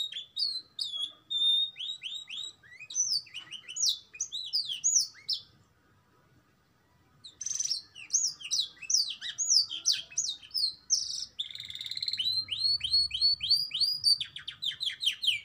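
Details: Canary song mixing in black-throat and prinia phrases: fast rolling trills of downward-swept notes, high sharp chirps and buzzy runs, with a brief pause mid-phrase before a long varied stream of rapid repeated syllables resumes.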